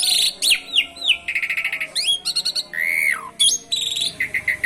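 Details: Asian pied starling singing a varied song with canary imitations: sweeping whistles, buzzy trills, quick rattled notes and a long descending slur, packed densely without pause.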